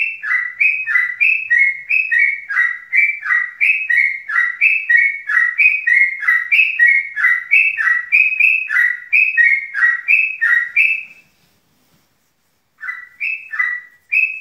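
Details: Yellow-vented bulbul in energetic ngeropel-style song: a long, nearly continuous string of bubbly whistled notes that rise and fall, about three a second for eleven seconds. A short silence follows, then the song resumes.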